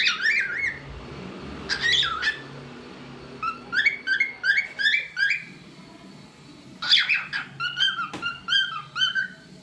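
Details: Pet cockatiel singing and making different sounds: loud harsh squawk-whistles open, followed by phrases of rising whistled notes repeated in quick runs, then another loud burst and more warbled whistles.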